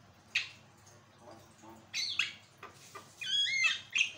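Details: Javan myna singing, used as a model for training birds and prompting song: scattered rasping notes, then a bright run of stacked whistled slurs ending in a sharp squawk.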